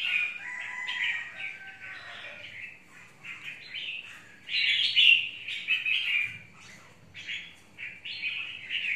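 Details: A fierce caged red-whiskered bulbul of the mộc type in a long cage, facing another bird; almost continuous lively warbling of bright, clear phrases, a loud rich burst near the middle, then quick repeated notes.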